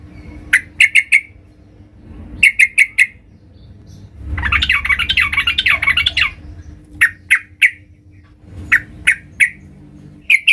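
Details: Calling female sooty-headed bulbul summoning a male: clusters of three or four crisp chirps, broken by a two-second burst of harsh, scratchy chattering, then more spaced chirps.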